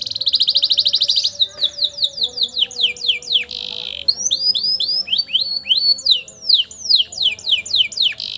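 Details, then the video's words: Canary with a long roll used as master song for juvenile canaries; opens with a fast pulsed trill, followed by long runs of steeply falling and rising whistled notes in quick succession. "KENARI NGEROLL PANJANG UNTUK MASTERAN KENARI PAUD"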